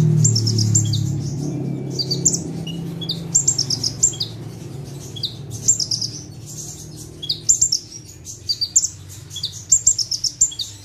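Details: Ciblek or prenjak tebu (bar-winged prinia) delivering gacor full-tembakan song from a single perch: clusters of thin, high chirping notes in rapid strings, growing denser toward the end, above a soft low rumble at the start.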